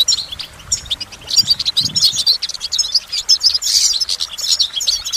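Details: Goldfinch song in a lively, uplifting performance: dense, fast, high-pitched twittering with liquid trills and buzzy notes, steady throughout, with brief soft low thumps early on.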